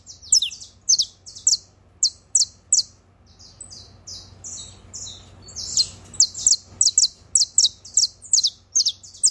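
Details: Canario criollo, the saffron finch, trilling: high clipped chirps in a brisk series, a short pause, then a faster, tightly packed run of chirps.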